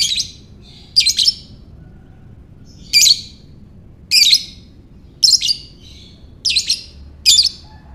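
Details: Lovebird ngekek, meant to prompt other lovebirds to sing: about seven harsh, piercing chirp bursts in eight seconds, some doubled, at an uneven pace, with low background hum.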